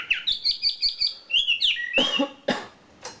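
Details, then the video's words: Kicau isian filler song of a champion wambi bird: a rapid series of sharp high chirps, then longer whistled slurs and harsher broadband notes. "SUARA KICAU ISIAN BURUNG WAMBI JUARA"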